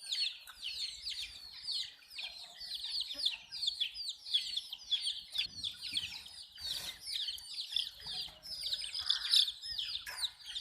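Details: Young chicks drinking water chirp nonstop, sharp high peeps sliding downward, packed closely together, with soft knocks and a brief noise burst partway through.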